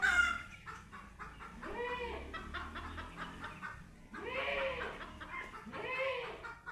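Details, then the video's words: Domestic chicken during a first meeting with a cat: soft, rapid clucking pulses run throughout, broken by three longer wavering meow-like calls, the last two close together near the end. "Chicken Sounds"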